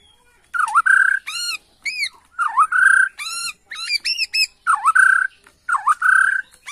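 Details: Lure recording of a Bornean White-rumped shama, intended to excite a reply: loud V-shaped swoop-and-rise whistles repeat about every second, interleaved with arched chirps.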